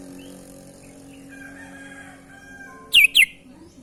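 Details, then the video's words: Sooty-headed bulbul giving unusual sounds while singing actively: after faint background tones, a sudden double note, two sharp downward-sliding chirps close together, near the end. "kutilang gacor suara aneh"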